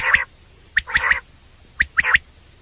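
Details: Common quail (batair) night call used for hunting: one short sharp note, then two quick sets of three clipped, slightly rasping notes about a second apart, with faint clicks between them.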